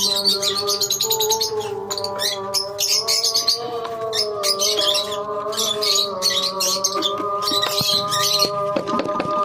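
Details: Lovebirds in a colony, many birds giving dense, shrill, overlapping chirps and chatter in rapid bursts, over a steady low droning hum that runs throughout.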